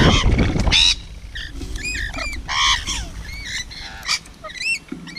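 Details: Feeding rainbow lorikeet making harsh squawks and short, up-slurred chattering notes, opening with a loud rustling burst of noise.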